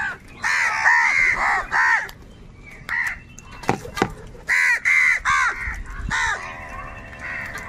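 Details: Harsh cawing from crows fighting over food comes in quick clusters, broken by a quieter stretch with sharp clicks or knocks, then more loud caws and a fainter nasal call at the end.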